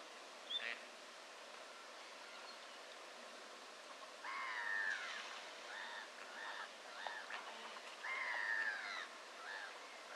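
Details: Gadwall during mating behaviour in autumn, 13 October 2024, in the Brenne regional nature park, France, give two longer nasal, burping bursts, with several short reedy calls between them and a thin high note near the start, over steady background hiss.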